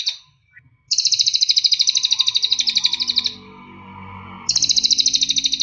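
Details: Cililin (mountain tailorbird) song for training captive birds: fast, high, pulsing trills of repeated notes, broken by a pause. A low background hum rises during the gap before the trill resumes.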